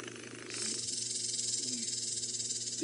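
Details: Prinias give alarm calls at a male leopard scent-marking on a morning drive in a South African game reserve, 2 March 2018. The calls are a harsh, high, buzzy rattle of rapid clicks that runs on without pause, over a faint low murmur.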